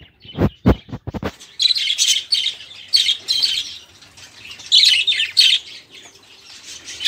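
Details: Budgerigar chatter used to prompt caged songbirds to sing; a few sharp clicks or taps at the start, then bursts of scratchy warbling and chirps.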